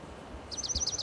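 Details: A Dark-eyed Junco perched atop a dead Monterey pine trunk in Del Monte Forest, California, sings a fast, dry trill of about six sharp, high, evenly repeated notes over a faint low outdoor rumble; Dark-eyed Junco.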